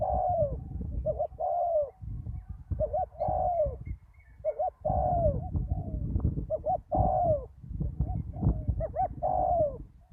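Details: Spotted dove decoy bird calling at a ground lure site after a storm: deep, mellow coos in short phrases, each ending in a longer descending note, repeated every second or two over steady low rumbling background noise.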